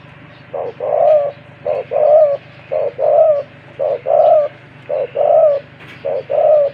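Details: Wild-caught spotted dove kept as a caged decoy bird, described as having a big voice. Repeated three-part coos: short note, short note, then a longer rolling coo, about once a second, over a steady low hum.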